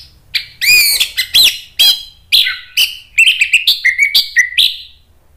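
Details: Orange-headed thrush singing vigorously, used to stir other thrushes to reply: a continuous varied run of loud whistled and chattering notes, some slurred downward, ending in a quick sequence of bright repeated chips.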